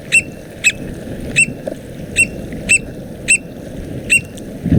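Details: American Oystercatcher in Mexico giving loud, sharp, high piping notes, one roughly every half second to second, over a low rumble of wind or surf.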